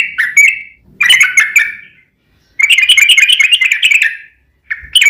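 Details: Sooty-headed bulbul giving long 'ropel' song to lure other bulbuls into answering; dense chattering bursts of bubbly notes, the longest lasting nearly two seconds, broken by short silences.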